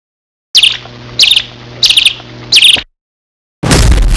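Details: A canary gives four short, bright chirping bursts about every two-thirds of a second over a low steady hum, then a burst of rough noise. The birds are shown mating and nesting.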